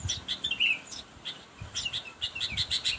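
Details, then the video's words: Sooty-headed bulbul calling a rival: bright, short chirps in quick clusters, with a clear down-slurred whistle near the middle and a livelier run of repeated chirps toward the end, over low background rumble. "kutilang memanggil lawan"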